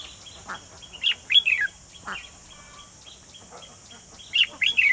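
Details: Red-whiskered bulbul used as a lure in a bird trap, 28 June 2020; two bursts of rapid, sharp descending chirps about three seconds apart, with softer calls between.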